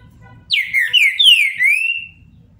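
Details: Captive trinca-ferro, the green-winged saltator, giving a Paraná-style song phrase: loud, clear whistled notes that slide downward one after another in a smooth connected run lasting about one and a half seconds, with a faint low hum behind.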